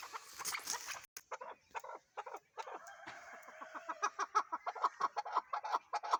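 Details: Chukar partridge giving a run of short, clucking notes that start ragged and then settle into a fast, steady chuck-chuck series. Some harsher, broader notes come early on.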